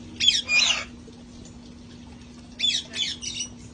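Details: Sanctuary parrots outside enjoying the weather before it turned cold: a pair of grating squawks, a pause, then three quick harsh squawks in a row.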